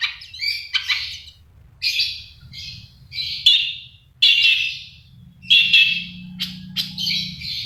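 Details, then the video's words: Long-tailed shrike in lively song packed with fill phrases. It gives scattered harsh chirps and grating bursts with short pauses, mixed with squeaky whistled notes and sharp clicks. "CENDET GACOR FULL ISIAN MEWAH SUPER"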